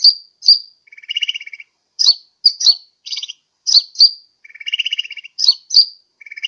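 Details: Sunbird lure call used to attract birds, Sukabumi, Pajampangan: sharp, high downslurred chips alternate with lower, buzzy rattling phrases, in irregular bursts with short silences between them.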